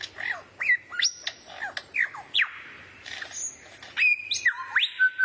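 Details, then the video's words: Bird song from a rare-bird training recording meant to teach a White-rumped shama (kacer) new material: varied whistled notes, sharp upward and downward sweeps and held high tones, delivered in quick bursts with short pauses. "MASTERAN BURUNG LANGKA YANG BISA JADI SENJATA PAMUNGKAS BURUNG KACER"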